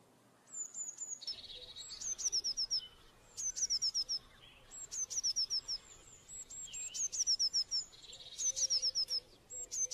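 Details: Eurasian blue tit singing high, thin notes: a short whistle followed by quick runs of four or five down-slurred notes, repeated in bursts about every one to two seconds.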